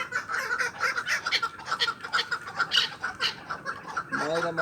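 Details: Hunting chukar partridge calling in a steady, rhythmic series of clucking chuk notes, about two per second, with a human voice breaking in at the very end.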